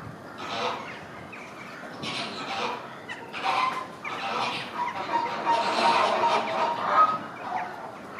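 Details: Chilean flamingos calling during a synchronized group display, harsh honking bursts overlapping in a steady rapid chorus, rising louder toward the end.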